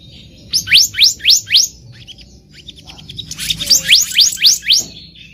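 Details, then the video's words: Black-naped monarch in the wild, used as a trapping lure: two bursts of four to five sharp rising whistled notes sweeping upward, about four per second, separated by a brief pause with faint softer chips. "SUARA ASLI BURUNG KEHICAP RANTING DI ALAM LIAR EDISI KHUSUS PIKAT"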